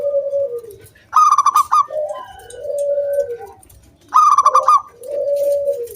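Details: Zebra dove of local stock in full song, played to coax other doves into singing; two phrases, each a bright stuttering trill followed by a long, low, falling coo.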